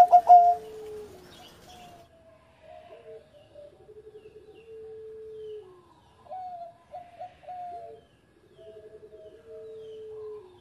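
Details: Former competition champion zebra dove singing engkel: a loud opening coo, then softer repeated phrases of stepped notes and long, slowly falling tones, spaced by short pauses.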